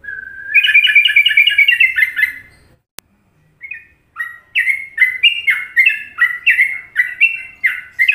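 Sooty-headed Bulbul song: bubbly, liquid whistled notes in quick rolling phrases, about two per second, mid-pitched, with a brief pause and a sharp click midway.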